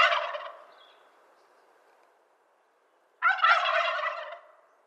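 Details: End of one wild turkey gobble fading out, about three seconds of near quiet, then a fresh loud, harsh, rattling gobble lasting around a second.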